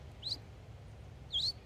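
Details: Song Sparrow in fall giving chip contact calls instead of song, two short, sharp, high upslurred chips about a second apart over a low rumble, at a freshwater marsh edge beside a saltwater inlet in a coastal southern Maine park, morning.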